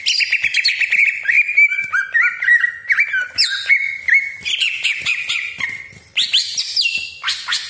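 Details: Greater green leafbird (cucak ijo) delivering a long, loud lure song packed with sharp 'tembakan' shots and rough 'besetan' chatter. Rapid whistled notes, slurred sweeps and buzzy trills run almost without pause.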